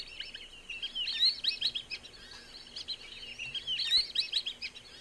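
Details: Black-bellied Whistling-Ducks at Sonso Lagoon, a tropical dry-forest wetland near Buga, Colombia, giving a chorus of high, thin whistles, several birds overlapping in quick, chattering bursts with no pause.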